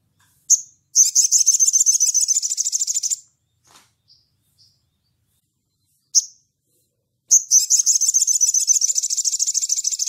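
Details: Sunbird in gacor ngleper style, calling to a rival: a high chip, then a rapid buzzy trill of about two seconds, a pause with soft chips, and a second long rattling trill continuing to the end.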